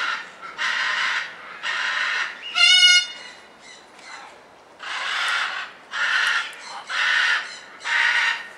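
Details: A captive red-crowned parakeet at Avifauna, Alphen aan den Rijn, Netherlands, gives harsh, rasping chatter calls in bursts of about half a second, roughly once a second, with one brief nasal, whining squeal.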